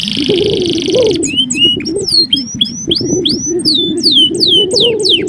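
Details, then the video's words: Male canary song for training young birds: a brief buzzy opening, then a lively series of high, downward-sliding whistled notes repeated in quick succession over a constant low rumble. "Suara kenari jantan gacor"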